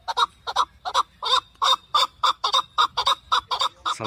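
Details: Chukar partridge at the Saturday partridge market in Zarafshon, Dushanbe, on 10 February 2024, where hunting and fighting partridges are sold: harsh, raspy chuck notes, about three or four a second in an even, insistent run.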